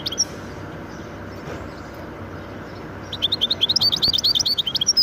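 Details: Goldfinch and canary hybrid bird, mostly quiet at first, then breaking into a quick run of high, closely spaced chirping notes that continues to the end, against faint low hum.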